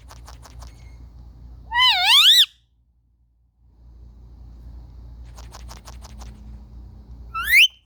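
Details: Indian ringneck parakeets kept as pets, playing, captured with a phone: bursts of rapid clicks framing a loud, undulating, harmonic screech; after a silent gap, a clicking chatter returns before a rising squawk.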